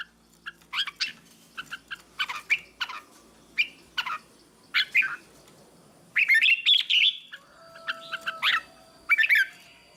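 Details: Red-whiskered bulbul singing tutor song for training young birds: many short chirped notes spaced roughly a second apart, then two louder, rapid warbling phrases near the end, with a faint hum in the background.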